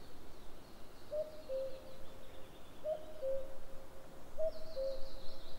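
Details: Soft, distant common cuckoo on 11 May 2022: three falling two-note cu-coo calls in steady succession, each pair roughly one and a half seconds apart, over a low rumble and a few faint high bird notes.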